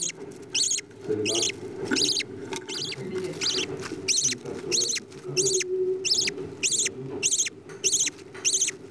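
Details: Budgerigar chicks during feeding by their parents: a rapid series of short, raspy, nasal begging notes, roughly one and a half per second, growing more regular toward the end, with soft shuffling noises below.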